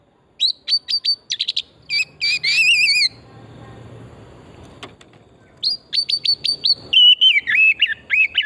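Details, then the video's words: Oriental magpie-robin song as a lure to stimulate singing, forest setting: series of sharp whistled upsweeps and a warbling trill, a quiet gap with faint background noise, then more crisp repeated whistles and slurred notes. "Pancingan burung kacer pesona hutan murni gacor"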